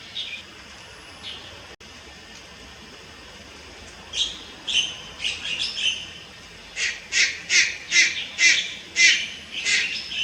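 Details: Juvenile Malayan night heron recorded on 30 July 2022 at Lugu: after a quiet start, harsh, raspy broadband calls begin, first scattered, then a fast, evenly paced series of about ten loud rasping notes.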